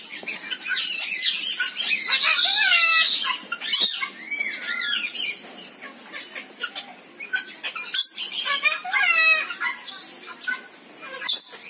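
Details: Rainbow lorikeet chatter: a dense mix of harsh, high screeches, squeaky whistled slurs and clipped chirps that rise and fade over several seconds, with scattered sharp clicks.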